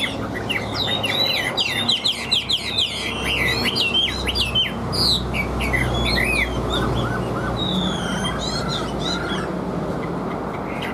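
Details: Chinese hwamei kept in a cage, singing strongly. A dense run of rapid, slurred whistles opens the passage, then the song thins to softer, scattered notes over a steady low-pitched hum.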